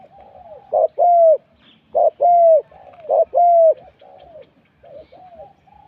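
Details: Morning decoy-luring session in Thailand: a spotted dove repeats three loud two-part coos, a brief note then a longer slightly falling tone, over softer distant cooing.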